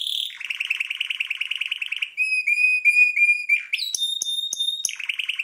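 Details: Red Belgian canary (Serinus canaria domestica) singing a fast, high song: rapid buzzy trills, then pure whistled notes and a rising, ringing phrase before trilling again.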